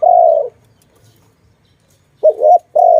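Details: Dove cooing where birds are trapped: a long low coo, a silent pause of over a second, then a quick wavering coo followed at once by another sustained note.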